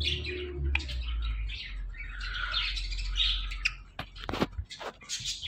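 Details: Pet talking parrot at play with a companion, giving scratchy, buzzy chirps in overlapping bursts, then sharp clicks and short clipped notes toward the end.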